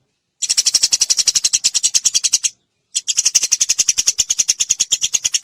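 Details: Eurasian tree sparrow giving nyrecet song as a masteran lesson to provoke singing: two bursts of rapid, evenly spaced clicking chirps, each about two seconds long, split by a short pause.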